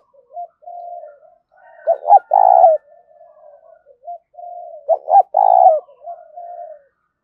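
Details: Spotted dove giving the driving 'gáy thúc' coo: two matching phrases about three seconds apart, each soft low hoots building to a loud, throaty double-note burst, then trailing off into softer coos, on a silent background.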